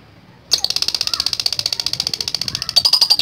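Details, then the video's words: After a short silence a lovebird bursts into a fast ngekek trill of harsh, high repeated notes, ending with a few sharper squeaky notes. "LOVE BIRD GACOR NGEKEK PANJANG"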